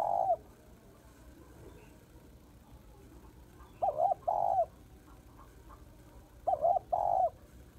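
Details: Female spotted dove in Vietnam calling to stir males. A short coo opens, then two phrases each of a quick double hoot and a longer smooth coo, about two and a half seconds apart, over quiet hiss.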